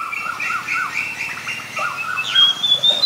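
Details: Oriental magpie-robin recorded in Ubon Ratchathani, Thailand, on 7 January 2021 using a Nikon P1000; wavering mid-pitched notes in a steady stream, ending in a thin, high, drawn-out whistle.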